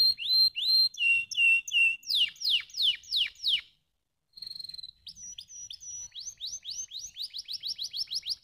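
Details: A canary sings to prompt lazy birds to sing. Even high whistles give way to rapid downslurred notes, a brief pause, a short steady trill, then quick rising chirps that speed up toward the end.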